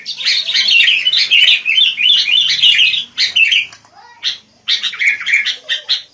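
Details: A noisy burst of wild sooty-headed bulbul chatter: tumbling, overlapping chirps for three seconds, a short lull, then another flurry of bright twittering.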